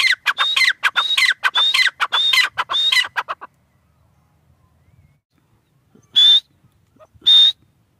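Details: Tetar partridge from Pakistan giving a fast run of harsh notes mixed with whistled high tones for about three seconds, then silence, followed by two single drawn-out whistles spaced roughly a second apart.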